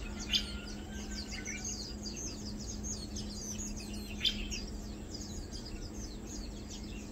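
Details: Lowland white-eyes feeding, recorded 2 August 2022: a dense chatter of thin, high chirps and short twittering notes that overlap continuously, with two louder sharp clicks near the start and after four seconds, over a steady low hum.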